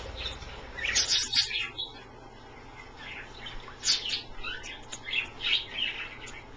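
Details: Indoors, pet Australian parrots taking a bath in a shallow dish give twittering high chirps in two busy bursts separated by a quieter stretch, with faint background hiss.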